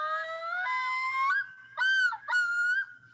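A Common Loon gives clear, haunting tones that step upward, then two drawn-out, mournful wailing notes broken by short pauses.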